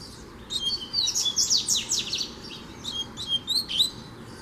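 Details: Free double-collared seedeater challenging a caged bird: a rapid high twittering song of sharp, steeply falling whistled notes in quick bursts, then a pause and a few brighter chirps near the end.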